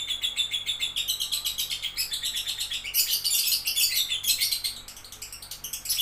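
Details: Lovebird chatter: fast, scratchy high-pitched chirps repeated in quick pulses, rising into louder, denser shrill bursts midway, then softer twittering notes.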